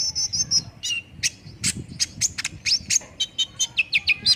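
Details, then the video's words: Lure recording of olive-backed sunbird song to get a bird singing quickly. Thin high trills open the passage, then sharp ticks and a brisk sequence of downward-slurred chirps, about ninety per minute. "PANCINGAN KONIN CEPAT RESPON BIKIN CEPAT BUNYI DAN GACOR"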